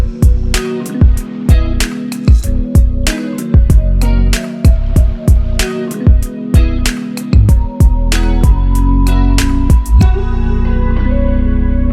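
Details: Plucked guitar music with steady bass notes plays throughout, with no animal voice heard.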